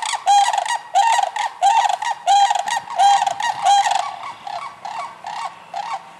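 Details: Sandhill cranes in Michigan, recorded between March and June, give loud rolling, rattling calls in rapid bursts: about eight strong calls in the first four seconds, then a run of softer, fainter calls trailing off.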